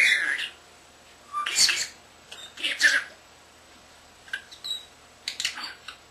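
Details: Pet common starling under a year old, kept indoors with lovebirds and cockatiels, talking and whistling: brief speech-like squawked phrases and short sharp chirps separated by pauses.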